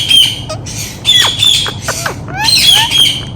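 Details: Indian ringneck parakeet, a pet parrot kept for talking, gives loud harsh squawks and short sliding whistled notes in quick irregular bursts, several overlapping, with low background rumble.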